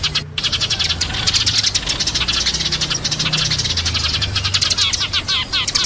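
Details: Chorus of Eurasian tree sparrows, dense chirps running almost continuously, a brief break near the start, with a steady low droning hum beneath.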